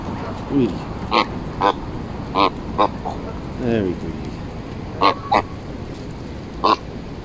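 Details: Embden geese in Longton Park, Stoke on Trent, petted and fed on 18 July 2022; a string of loud, brassy honks at irregular intervals, about nine calls in seven seconds, with a lower drawn-out gabble midway and a person's voice in the background.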